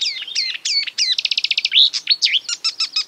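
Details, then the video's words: Marsh warbler quoting other birds in quick succession: looping whistles, a fast trill of even notes, a squeaky phrase and clipped chirps. "A marsh warbler (Acrocephalus palustris) imitating other birds"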